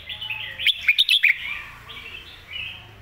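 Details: Red-whiskered bulbul master song for teaching young birds, with a warbling run of whistled notes broken by several loud sharp clicks in the middle, trailing into softer fluty phrases.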